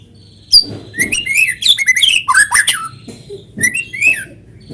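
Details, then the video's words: Vigorous natural white-rumped shama song for luring other shamas to sing along: an abrupt start into fast varied whistles, slurred notes and buzzy rattles, continuing in lively phrases to the end. "PANCINGAN BURUNG MURAI GACOR SUARA ALAMI BIKIN MURAI BATU IKUT BUNYI"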